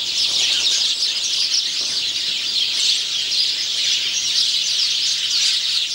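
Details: Male house sparrow in song on 17 November 2009, giving a steady stream of sharp, high chirps that blur into a continuous twittering chatter throughout.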